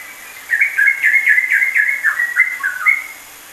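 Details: Yellow-vented bulbul (trucukan) in a rapid ropelan-style song, a combination meant for tutoring songbirds: a quick run of short whistled notes, some falling, about four per second for two and a half seconds, in a quiet setting.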